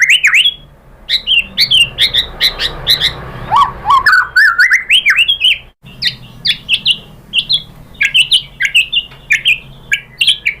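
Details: Lure-type white-rumped shama song to provoke a caged bird into replying: continuous bright whistles and chirps in quick succession, mixed rising and falling notes, with a brief jumbled lower passage midway.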